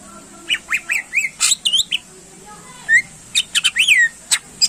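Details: Greater green leafbird singing to stir up contest birds: scattered sharp chips and curved whistled notes, a pause, then a rapid burst of clicks and slurred whistles, over a faint high hiss.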